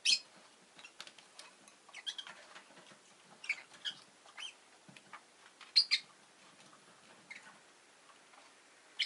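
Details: Domestic rosy-faced lovebirds, two new arrivals, chatter in a run of short, scratchy chirps and squeaks at irregular intervals, over a steady low background hiss.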